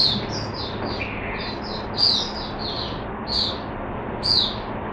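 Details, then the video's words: Caged Oriental white-eye opening into song, recorded 5 May 2022: thin, high twittered notes in quick, uneven bursts, with sharper bright accents near seconds two, three and four over a low hum of background noise. "Mata Puteh Hercules V1 buka sing"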